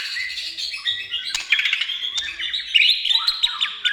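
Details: White-rumped shama gacor song: quick varied whistles and chattering notes, rising and falling, with scattered clicks and a brighter flourish of high notes toward the end.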